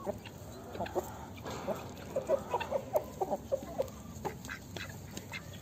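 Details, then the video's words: Hens in a poultry yard giving a run of short, mid-pitched clucks, about a dozen notes spaced unevenly over a few seconds, with faint sharp clicks and a steady low background murmur. "Hens Rooster Poultry Yard"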